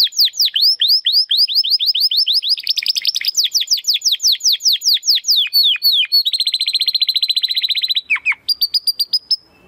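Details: Belgian canary singing in the estralando style: long runs of rapid downslurred high notes flowing into rolling trills, then a steady buzzy high section before a brief pause and a few closing notes.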